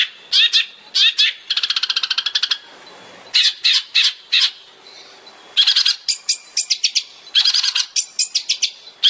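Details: Long-tailed shrike master recording for training songbirds, 'tembakan' style: harsh, scratchy bursts and quick rattling runs separated by short pauses.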